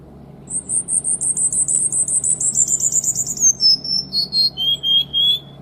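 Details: Cuban bullfinch delivering a tight, rapid song: a fast series of high chirped notes descending in pitch, then a few lower drawn-out whistles, over a steady low background hum.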